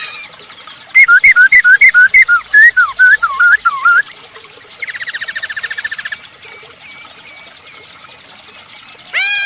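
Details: Masked laughingthrush singing vigorously to spur other birds on; a fast series of looping whistled notes, then a quieter buzzy rattle, with faint background notes and a final rising sweep.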